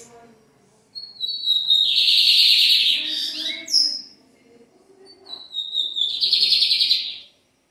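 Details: Lined seedeater, one of a group of four birds, singing: a thin high whistle sliding into a long dense buzzy trill lasting about two seconds, then a pause and a second similar buzzy phrase.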